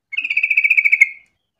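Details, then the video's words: Yellow-vented bulbul singing actively to lure other bulbuls into singing: a single bubbly, pulsing phrase of about a second, a rapid run of even warbled notes at a steady pitch, ending abruptly, then silence. "pancingan trucuk gacor biar trucukan lain ikutan bunyi"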